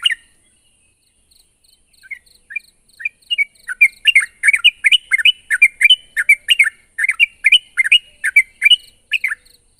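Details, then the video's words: Sooty-headed bulbul, vocal and calling a rival: after a quiet start with scattered soft notes, the chirping builds into a loud, fast string of burbling two-note phrases, with thin high ticking above. "suara burung trucuk gacor memanggil lawan"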